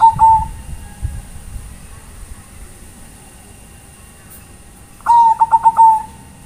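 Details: Zebra dove, Bangkok type, calling its companions: the tail of one coo at the start, then after a long quiet gap a full pulsed, rolling coo phrase over low rumbling background noise.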